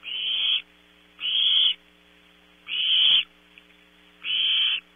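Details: Owlets of the barn owl in a nest at Audubon Starr Ranch, California, contesting prey at 0300 hours. Four coarse, hissing screeches of about half a second each, roughly 1.3 seconds apart, over a persistent hum.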